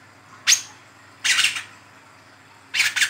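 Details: A young brown-throated sunbird, recorded as a lure and tutor sound, gives three harsh, raspy, high-pitched bursts, each under half a second, spaced a second or more apart, against a faint low hum.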